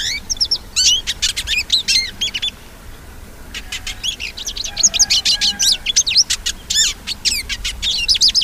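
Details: A hooded siskin sings a fast, high, twittering song of sharp chirps and slurred trills in two long bursts, with a brief pause between them.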